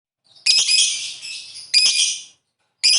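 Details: Lovebird calling with 'ngetik ngekek' style, meant to prompt rival birds to sing; two long harsh, buzzy high chattering bursts separated by a brief gap, then a third burst beginning at the end.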